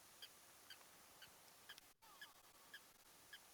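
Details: Blacksmith Lapwing loudly objecting to a lion pride drinking at a water hole in the African bush, morning of 9 July 2025; sharp metallic clinking notes repeated roughly twice a second, over a steady faint hiss with a brief dropout midway.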